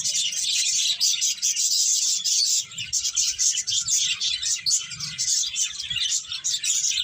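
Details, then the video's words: Loud, steady chorus of many chirping birds, shrill overlapping tweets filling the whole stretch with hardly a gap, over a faint low background murmur. "Cute Birds Chirping Sounds"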